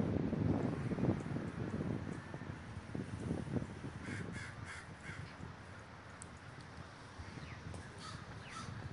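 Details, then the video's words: Many crows gathered together in Davis, California, giving harsh overlapping caws, loudest at the start and then thinning to a softer murmur of scattered calls over low noise. "The Great Gathering of Crows"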